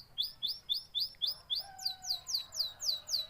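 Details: A canary repeats sharp, slurred downward chirps about four times per second in a steady rhythm, with a faint low whistle running beneath.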